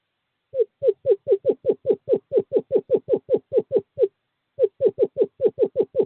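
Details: Screech owl male courting, calling a female to nest box 5: a clean, quick series of short descending notes, one brief gap, then the run continues.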